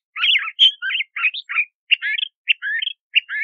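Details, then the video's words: A Crissal thrasher sings a jerky series of varied burry and slurred notes, some rising, some falling, in short groups with small pauses between them, clear and close. "Crissal Thrasher Song! Crissal Thrasher Sound!"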